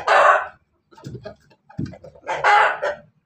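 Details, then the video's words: Ayam Ketawa and Pelung cross chicken in Banguntapan, Yogyakarta, Indonesia, crowing before laying eggs: a loud harsh burst, then scattered softer clucks and a second rough, wavering burst near the end. "Ayam hasil persilangan ketawa Bangkok pelung berkokok mau bertelur"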